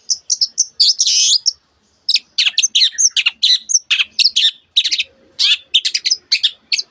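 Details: Long-tailed shrike in vigorous song packed with imitations of canary and many other birds: high whistled chips, a harsh rasp, then a dense stream of sharp descending notes with barely a pause.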